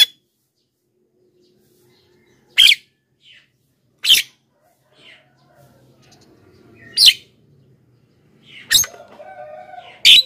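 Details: Black-winged myna singing vigorously, used to call wild birds from the forest and to spur caged birds at home into song. Loud rasping squawks are separated by long pauses. A soft warble and a low wavering tone follow near the end.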